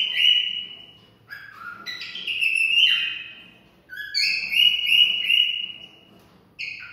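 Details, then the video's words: Cockatiel singing to stimulate mating: loud, drawn-out whistled phrases, some sliding and some held level with bright overtones, separated by short pauses and ending on a clipped final note, in a quiet room. "Cocktail stimulating sounds for mating"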